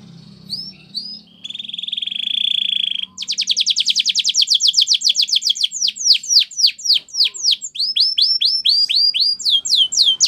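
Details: Belgian canary singing a training song: a few high whistled slurs, a steady buzzy trill, then a long fast rattle of rapid notes that shifts into series of sharp downward-sweeping whistles repeated several times a second.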